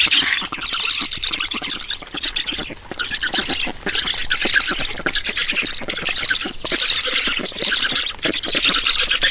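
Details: Nest of black storks in Estonia, recorded at feeding time on 11 June 2019: harsh, rapid rasping squawks pour out in uneven surges, with short lulls near the start and in the middle.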